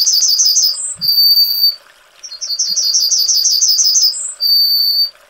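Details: Yellowhammer (Emberiza citrinella) song: two phrases, each a fast run of high, thin repeated notes ending in a brief higher note and a long, drawn-out wheeze.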